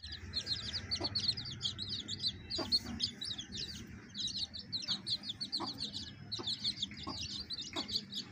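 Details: Baby chicks with a hen: a dense chorus of thin, high peeps, many overlapping short cheeps repeated rapidly throughout, with a few soft low knocks and faint background hum.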